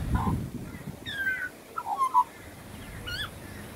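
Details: Australian pied butcherbird, a wild bird, giving a short run of fluty whistles: a falling slurred note, then a quick cluster of three rounded notes, then a rising-falling whistle, over faint background rumble.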